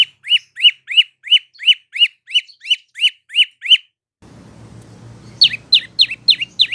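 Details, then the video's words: Evenly spaced, clear rising-then-falling chirps from a prinia (prenjak lumut or lancur), used as training song for cage birds, about three a second, then a quiet hum before a burst of sharper descending notes. "Burung prenjak lumut atau lancur masteran"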